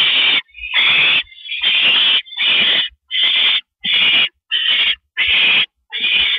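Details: Male barn owl bringing a treat to his mate on a porch at 8:25 PM, April 16, 2012; a run of nine raspy, breathy screeches, each under a second, repeated steadily with brief silences between them.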